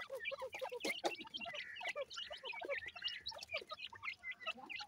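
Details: Several grey francolin chicks peeping continuously: rapid, overlapping thin cheeps, some rising and some falling, forming a busy chatter with faint clicks and knocks in the background.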